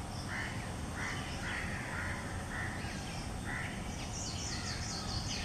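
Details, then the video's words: A coppersmith barbet in a garden gives short, hollow, low-pitched notes at roughly second-long intervals, while other birds chatter higher up over a steady background rumble. "Video clip of copper smith barbet"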